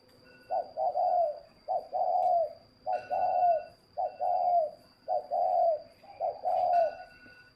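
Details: Spotted dove kept by a breeder in Ba Vì, Hanoi, northern Vietnam, coos steadily: repeated mellow, throaty phrases of a short lead note and a longer falling coo, about six phrases in under eight seconds, with a constant high electrical whine behind.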